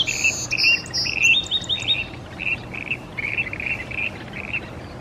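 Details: In Salmon Arm, British Columbia, a Song Sparrow sings bright, high clear notes, then a run of quicker, lower chips, over a faint steady background hiss.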